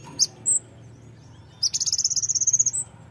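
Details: Brown-throated sunbird, a fighter-type bird played to provoke other birds into singing: two short high chips, then a fast, even trill of bright, very high notes lasting about one second, with a faint low hum underneath.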